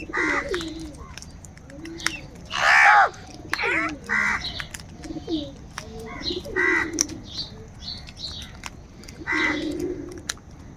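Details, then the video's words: Angry crows, described as fighting for food, giving loud harsh cawing calls in short bursts of several seconds each, with softer lower calls and other bird chirps in between. "Crow bird live crowing sounds - Angry kauwa ki awaaz | Kaka sound and noises of crow birds"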